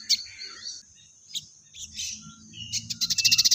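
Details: Crested jay (sogon) giving fighting-sparrow style material: scattered high chirps and squeaks, then a fast, dry rattle of rapidly repeated notes that builds toward the end.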